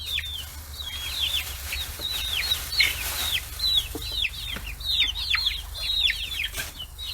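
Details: Flock of 40-day-old chicks raised free-range in Kitahiroshima, Japan, swarming fish heads; loud, rapid high peeps, each a quick downward whistle, overlapping almost continuously, with occasional sharp knocks.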